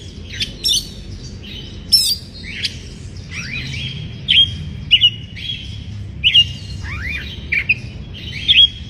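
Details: Oriental magpie-robin in breeding condition, singing to provoke rival birds: varied whistled song with steady tones, rising sweeps and sharp clicks, in loose phrases with short pauses, over soft low background rumble.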